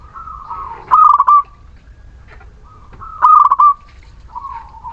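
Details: Zebra dove of the local Muria type sings a lure song meant to rouse reluctant birds. Two strong phrases, each a rapid run of clipped notes trailing into a long even coo, roughly two seconds apart, with fainter cooing between.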